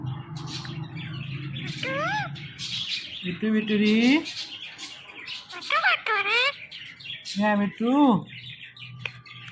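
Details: Talking parrot kept as a pet, chattering in clear, speech-like phrases with curving, warbling tones, mixed with short chirps and whistles; a low hum sits underneath, with bursts of sound spread across the clip.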